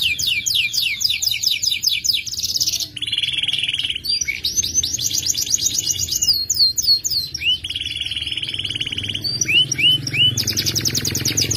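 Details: Caged F2 YS canary singing energetically with long trills and sharp tones: fast repeated high notes in rolling trills, sudden switches to lower buzzy rolls and rising slurred whistles, loud and nearly unbroken.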